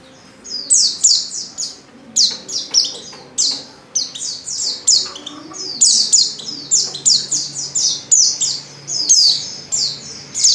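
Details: White-eye female in breeding condition calling for a male, delivering dense runs of high, sharp downward-slurred chirps in quick succession, grouped into bursts with short gaps, over a quiet low hum.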